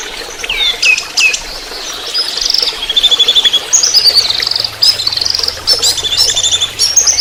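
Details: Orange-headed thrush singing in trotol style for tutoring: a varied run of slurred whistles, sustained high notes and fast chattering trills, with a faint low hum in the second half.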